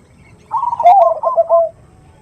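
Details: Zebra dove, known locally as perkutut, said to be a female calling a male in big-voiced 'khung' style: a single loud, throaty coo running into a fast stuttering trill that fades after about a second.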